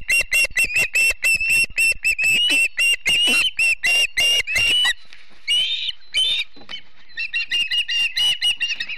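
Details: Morning at a Montana osprey nest at Charlo in September: fast run of piercing whistled chirps, a brief pause, then a few drawn-out upslurred whistles and another burst of quick chirps.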